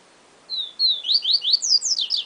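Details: A yellow-bellied seedeater (Sporophila nigricollis) sings a single bright phrase: a brief whistle, a longer sliding note, then a rapid string of high slurred notes rising in pitch, about one and a half seconds long.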